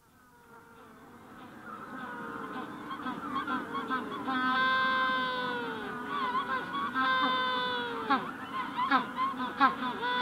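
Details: Magellanic penguin adults give ecstatic braying calls close up: loud, long, donkey-like honking bursts, rich and harmonic, with many more penguins calling throughout the colony behind.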